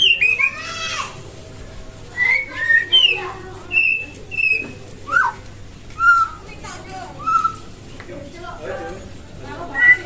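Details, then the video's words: White-rumped shama from Nias singing a varied song of clear whistles: pure steady notes, rising and falling slurs, and quick sweeping phrases spaced about a second apart, over a low steady hum. "Murai Batu Nias"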